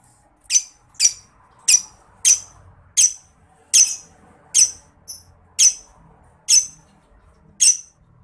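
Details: Lovebird ngetik ticking used to train competition songbirds: clean, evenly spaced sharp chirps, about one every 0.6 seconds, each a bright high click with a slight rasp, over a quiet background.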